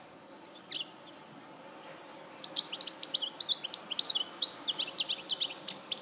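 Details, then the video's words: European goldfinch at Larache, 2014: a few scattered chirps, then a sustained rapid twittering song of crisp, tinkling notes and short trills. "Jilguero Larache 2014"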